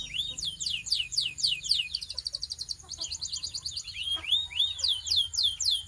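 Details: Belgian canary warming up, pouring out continuous high sweeping notes about four per second, interspersed with quick ticking trills and a faint click.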